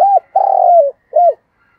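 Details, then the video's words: Spotted dove cooing for luring wild doves, 'thúc gù' style, 'giọng thổ' voice: a short arched note, a long mellow coo that slides lower, and a final brief hooked coo, clear and close. "tiếng chim cu gáy THÚC GÙ giọng thổ"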